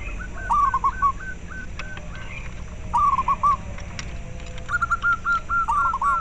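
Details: Local zebra dove voice, used to encourage captive doves to sing and breed and as a lure. Three bouts of rapid, slightly descending staccato coos over a hissy background.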